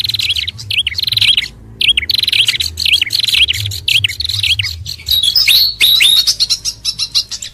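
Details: Fantail lure sound combined with hill babbler and red-headed prenjak: repeated looping whistled phrases separated by short gaps, followed by a burst of sharp high chirps and quick tweets.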